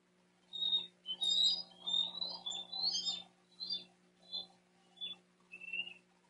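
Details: An 88-day-old Bald Eagle fledgling in Dade County, Florida, June 2023, calls for his brother: a burst of high twittering squeals followed by a string of shorter piping chirps, roughly one or two every second.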